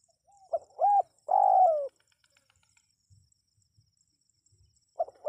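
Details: Spotted dove cooing, offered as a sound to draw wild birds into responding: a short note, a low rounded coo, then a long drawn-out coo that slides downward, and a fresh phrase starting at the end, over a faint steady high hiss.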